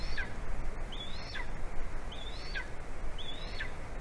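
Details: Golden eagle calling for its mate ahead of mating on a branch, Latvia, late morning of 9 February 2020; high whistled yelps that rise then drop sharply, four in a few seconds, with steady wind-like noise behind.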